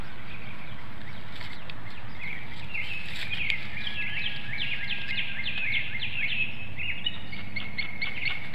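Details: Bald eagle mates calling back and forth at their Hanover, Pennsylvania nest at dawn in March 2019, female on eggs before the incubation swap: a long string of sharp, high, descending chirps that quickens and grows stronger toward the end.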